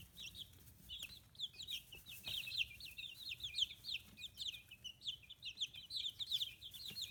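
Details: Chicken chicks fifteen days old, raised on a free-range poultry farm in Hiroshima Prefecture, Japan, keep up lively peeping. Short, high, downslurred chirps come in quick overlapping strings, growing busier in the second half.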